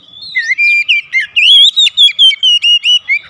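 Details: Home-kept Oriental magpie-robin singing actively as daily therapy: a rapid string of roughly ten clear whistled notes, each slurred and evenly spaced, bright and loud throughout.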